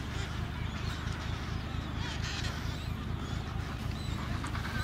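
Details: Adélie penguins at their Paulet Island breeding colony in Antarctica, 1 February 2019: continuous crowded chatter of raspy calls from many birds, with a loud low-pitched rumble underneath throughout.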